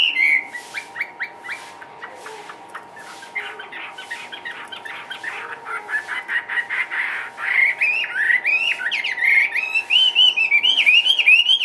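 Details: Caged Chinese hwamei singing, a bird sold from a breeder in Vietnam: a varied run of sharp notes and slurred whistles, turning into rapid wavering whistled phrases rising and falling around a steady tone, with a faint constant hum behind.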